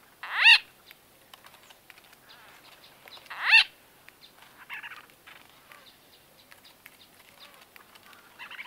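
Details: Close-up conversation of white-fronted bee-eaters, date unknown: two loud harsh arching squawks about three seconds apart, separated by softer rolling chatter and quiet buzzy notes from the group.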